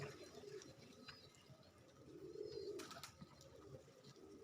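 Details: Bangladeshi racer pigeons, domestic birds kept at a loft, giving a low throaty cooing burst in the middle, with softer murmurs before it, a few thin high chirps and light clicking noises around.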